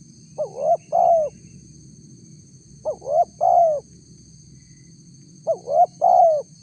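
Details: Spotted dove coos meant to provoke a response from wild doves, three phrases each of two short rising notes and a longer falling hoot, spaced about two seconds apart, low steady background noise.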